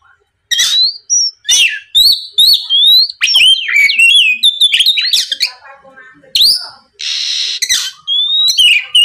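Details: Oriental magpie-robin singing to goad a rival into calling back, a long varied sequence of loud whistled slides, sharp hooked notes and a harsh buzzy rasp, delivered in quick bursts of roughly two notes a second.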